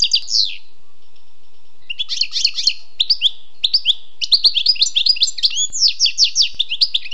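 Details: A wild European goldfinch delivers a tinkling, twittering song: a short opening phrase, a pause, then increasingly continuous runs of rapid chattering notes ending in dense trills.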